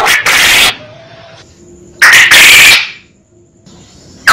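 A quail gives loud, harsh, screechy bursts lasting under a second, repeated about every two seconds, with quiet thin whistles in the gaps.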